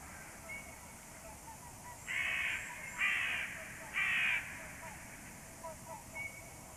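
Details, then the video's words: Crows calling at 6:34 in the morning, with three harsh, buzzy caws about a second apart, loud and broadband, among faint scattered chirps from other birds in the background. "crows call"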